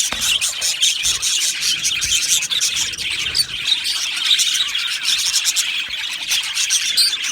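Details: Aviary budgerigars chirp and chatter together in a thick, fast warbling mass of high notes, with a short pause in the first second before the noise resumes.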